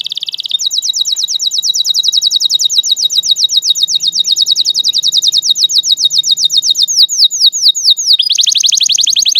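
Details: Lure song of a canary for young birds learning to sing: a brief trill leads into a long, very rapid rolling series of high notes that slows toward the end into separate downslurred whistles, then a fresh trill.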